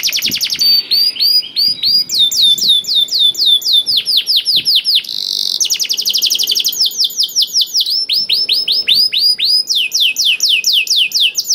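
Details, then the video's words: Canary singing loudly and continuously to provoke reluctant canaries into song: rapid repeated downslurred whistles in phrases, with trills and a short buzzy section, steady for nearly twelve seconds. "KENARI GACOR DOR INI MEMANCING KENARI YANG SUSAH BUNYI JADI IKUT GACOR"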